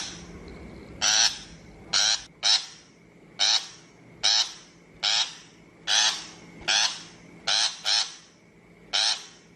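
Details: Shrike call used as a lure for a bird-trapping speaker: loud, harsh, rasping notes about a third of a second long, given singly or in quick pairs roughly every second, over a faint steady hum.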